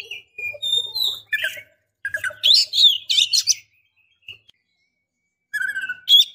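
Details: Oriental magpie-robin female calling the male to make him excited or ready to mate: varied chirps and buzzy whistled phrases in broken bursts, with faint lower chatter and a final short burst after a pause.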